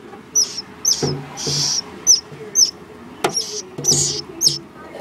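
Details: Possible swallow giving sharp, high, thin downslurred chirps repeated at an irregular, fairly quick pace, with broadband clatter, thumps and a low hum underneath.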